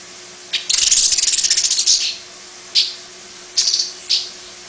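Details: Long-tailed paradise whydah, a small long-tailed master song bird, with a distinctive chatter: a buzzy, rapid high rattle lasting over a second, followed by three separate bright chirps after pauses, against a quiet indoor hum.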